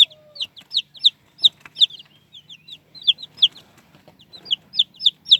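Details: Domestic chicken chicks giving squeaky cheeps: loud, sharp high peeps in little clusters of two or three, about every half second, over a quiet background with a faint low hum.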